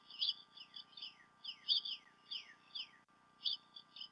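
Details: Bald eagle pair together at the Decorah North nest, filmed by a nest cam on 28 February 2016, late morning to early afternoon. Repeated high, whistled descending notes in quick bursts form a piping chatter, with a steady faint background hum.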